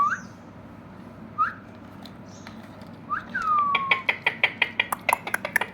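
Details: Indian ringneck parakeet with short rising whistles, then a long falling whistle that runs into a fast series of sharp clicking chatter notes, roughly three per second.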